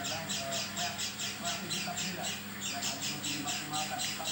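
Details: Oriental white-eye giving a strange sound, unlike its usual one: rapid raspy squawks repeated in a quick regular rhythm, with soft lower twitters faintly audible.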